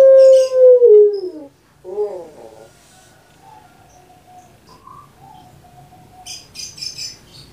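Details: Kept puter pelung dove: a loud drawn-out coo that slides downward over about one and a half seconds, followed by a shorter broken coo and faint low tones, with a soft rustle near the end.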